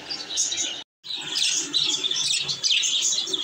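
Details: Happy baby budgerigars kept as pets chattering together: a dense, continuous stream of high, scratchy chirps and warbles overlapping without pause, broken by one brief silence near the start.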